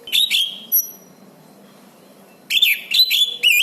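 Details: Orange-banded thrush in lively song, used as a master for teaching silent birds; a rich whistled phrase and a thin high note, a pause, then fast repeated warbling phrases.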